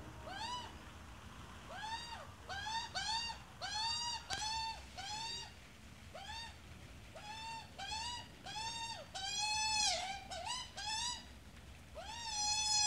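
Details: Australian magpie, adult and chick together: about twenty short, arched, nasal calls in loose bursts, with a longer steady call near the end.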